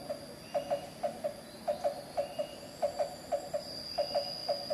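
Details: Black-banded barbet, endemic to Java, at Carita in Pandeglang, Banten, Indonesia: evenly spaced double hollow 'tuk-tuk' notes, about one pair every half second, with a continuous thin insect whine above.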